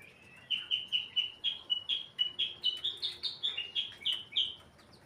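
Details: White-rumped shama in breeding condition: a fast, sustained run of some sixteen bright whistled notes, each with a short rising sweep, delivered in steady rhythm and shifting slightly higher in the middle of the phrase; quiet background.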